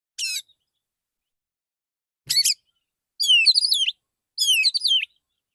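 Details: Morning song of a male white-rumped shama calling to others: four high, clear phrases of swooping, whistled and twittering notes, the later ones longer and richer, separated by short silences.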